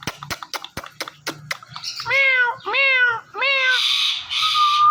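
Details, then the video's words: Indian ringneck talking parrot, a pet bird: a burst of sharp clicks, then three wavering meow-like calls and a harsh hissing screech at the end. "Funny Indian Ringneck Talking Parrot"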